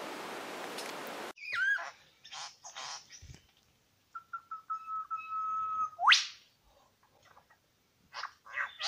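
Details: At Lookout Point in New England National Park, where two wild male Superb Lyrebirds were met, a varied phrase: short whistles, a steady pure held tone of about two seconds, then a sharp upward sweep and scattered clicks.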